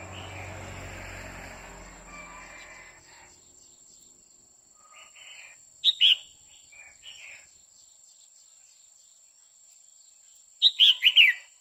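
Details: Female red-whiskered bulbul calling to stimulate a male, giving two short bursts of three or four sharp, chirpy notes about five seconds apart, separated by long quiet stretches with faint background hiss.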